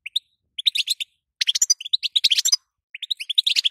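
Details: European goldfinch hen calling so that a male will sing: clipped, high chirps start sparse, then run into a dense twittering burst, a pause, and a fresh rising string.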